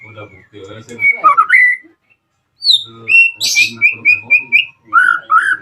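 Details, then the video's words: Murai batu lure song to goad rival shamas into replying: warbled whistles rising steeply, a pause, then a high descending whistle, a harsh buzzy note and a quick string of ringing phrases over soft low clicking. "PANCINGAN AMPUH MURAI BATU AGAR CEPAT BUNYI - Sekali putar langsung nyaut dan respon"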